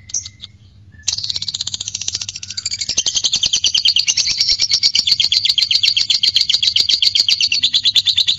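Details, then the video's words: Fighter lovebird giving ngekek, the long chattering song used to provoke courtship mood and singing in other lovebirds; after a short opening note comes a dense, fast, buzzy high trill that builds louder and runs unbroken for over seven seconds. "Pancing Birahi Tes Latah Fighter Lovebird Ngegek"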